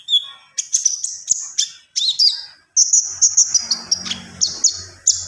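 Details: Javan pied starling in full song, a lower whistle opening, then piercing high whistled phrases and rapid repeated chips, with a soft low rumble in the background.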